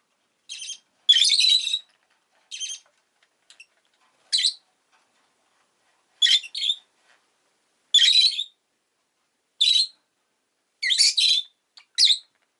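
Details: A rosy-faced lovebird (Agapornis roseicollis) gives sharp, high, buzzy chirps in short bursts every second or two, some doubled into harsh squawks, against a quiet background.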